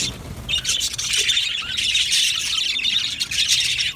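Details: Budgerigar colony in an aviary: a dense, continuous chorus of high chirps, squawks and warbling chatter from many birds, building after the first half second and staying loud and busy throughout.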